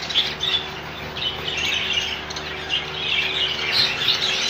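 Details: Several rainbow budgerigars in a colony setting chatter together, soft scratchy twitters and sharper chirps blending into a steady high murmur over a faint hum.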